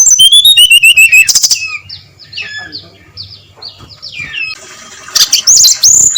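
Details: Loud 'ngeplong' song of a brown-chested jungle flycatcher before daybreak: a descending whistled series, a softer run of varied chirps and slurs, then bright rising whistles return.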